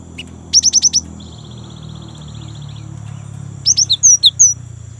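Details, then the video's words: Young great tit in full rolling song, used as a lure to get kept great tits singing: a fast burst of five high, sharply downslurred whistled notes, then after a pause a looser run of high, slurred notes. "GELATIK BATU MUDA GACOR | Glatik Ngerol Untuk Pancingan Gelatik Batu"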